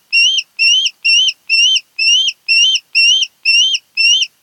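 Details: Osprey at its nest on Kent Island, Maryland, one of a mated pair, 10 August 2018 night hours: nine evenly spaced, rising whistled chirps repeated about twice per second in a steady insistent series.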